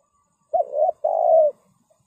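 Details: Spotted dove serving as a trapping lure gives a single clear phrase: a brief rising coo followed by a longer, steady, soft coo, in an otherwise quiet setting.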